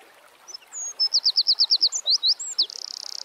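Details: Eurasian wren singing in nature with thin high whistles, a regular series of piercing repeated notes, a few twisting chirps, then a fast dry trill at the end.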